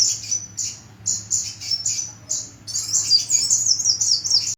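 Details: Small kolibri bird with a characteristic voice: a series of shrill high chirps, then a continuous rapid twittering trill that wavers up and down for almost two seconds, a low background hum throughout.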